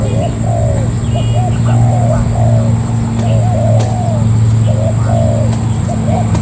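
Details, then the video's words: Wild-caught spotted dove kept as a ground decoy bird, giving a run of soft, mid-pitched cooing phrases. The phrases are grouped in short two- and three-note bursts repeated through the recording, over a steady low electrical hum and a thin high whine. "Cu gáy mồi đất bổi"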